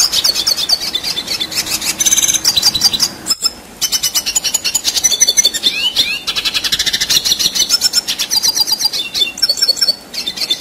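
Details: Red siskin rolling nonstop in a long song for contest-bird tutoring, a bright, fast chatter of high buzzy trills, clicks and slurred whistles, briefly broken by one short gap before carrying on.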